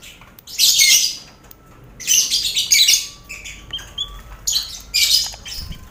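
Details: Shared cage of lovebirds, finches and quail, lively colony sound meant to steady contest lovebirds; three or four bursts of shrill scratchy chatter with softer twitters and short whistled notes between them.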